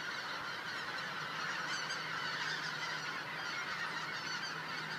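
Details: Thousands of white-fronted geese passing overhead as the sun sets at Cosumnes River Preserve, giving a steady wall of overlapping yelping honks, many birds calling at once, even and unbroken from start to finish.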